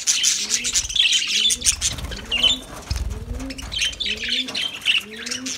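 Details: Lovebirds singing: dense shrill squeaky chirps and chatter running almost without pause, with soft low arched cooing from doves repeated about every second underneath.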